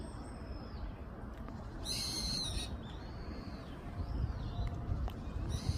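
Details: Brown-eared bulbul calling on 20 January 2026 near a dead tree during a walk: shrill, high, slurred whistles that arch up and down, with a louder harsh, buzzy burst in the middle, over a steady low rumble of background noise.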